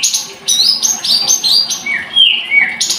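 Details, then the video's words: High-pitched Blood-breasted flowerpecker song: a rapid run of short, bright chips, then a few longer whistled notes sliding down, ending in another buzzy chip, with a faint hum behind. "Kicau Tledekan Gunung"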